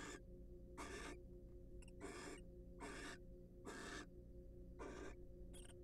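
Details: Wild barn owls preening each other in courtship inside a nest box; repeated harsh hissing snores roughly every second, plus faint brief clicks, over a constant low hum.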